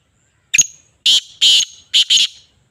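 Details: Kala tetar, the black francolin, gives a brief sharp opening note and then a loud rasping phrase of three to four buzzy, noisy syllables over roughly a second and a half. No other sounds are heard.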